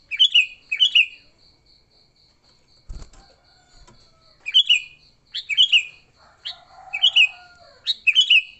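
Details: Repeated bubbly fighting phrases from a sooty-headed bulbul, a sound used to lure bulbuls: two phrases, a pause broken by a thump, then four more in quick succession, with a faint buzzing chatter and continuous high ticking.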